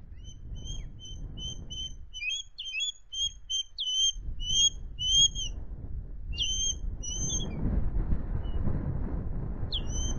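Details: Ringed male osprey at the RSPB Loch Garten nest in Scotland, 2 September: thin, high whistled peeps repeated in a steady series, some notes rising or slurred, over low wind rumble that strengthens toward the end.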